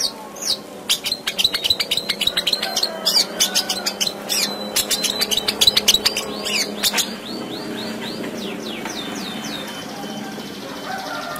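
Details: Long-tailed shrike in 'gacor full isian' song, a training recording for lazy singers: a rapid string of sharp ticking and chattering notes with squeaky flourishes for about seven seconds, then fainter soft twitters over a low hum.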